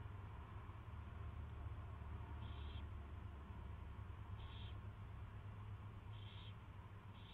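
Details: An owl at its first feeding on 24 February 2016, 2:15 PM, makes four short hissing calls at uneven gaps of one to two seconds, with a steady low hum.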